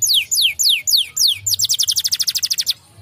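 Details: Canary replying at once to another canary: five loud downward-sweeping whistles spaced evenly, then a quick rattling trill of short high notes that ends suddenly.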